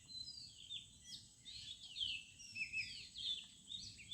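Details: Morning birdsong in a village: overlapping high twittering and slurred whistles swelling and fading roughly every half second, over a faint low rumble.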